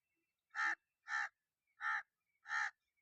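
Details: Crow calling against a silent background: four harsh, evenly spaced caws, each about a quarter second long, repeated roughly every 0.6 seconds with nothing else audible.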